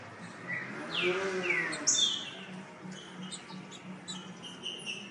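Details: Green-winged saltator (Saltator similis), song.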